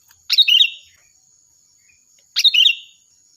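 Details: Lively, loud sooty-headed bulbul, recorded as a master song for training birds: a pair of quick, bubbly phrases two seconds apart, each a burst of bright up-and-down notes lasting half a second, over a high steady hum.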